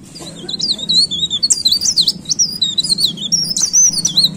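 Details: Leaf warbler in full song, an unbroken stream of high, sliding and rippling notes with sharp ticks scattered throughout.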